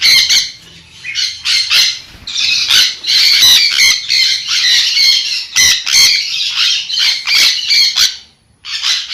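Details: Loud, raspy shrieks from a sun conure, repeated in quick choppy bursts with short gaps, then a pause near the end before one more screech.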